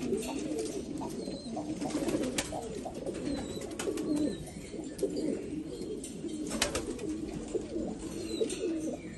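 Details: Black Afghan pigeons, Afghanistan, giving a steady chorus of low burbling coos that overlap without pause, with scattered clicks and faint high chirps behind.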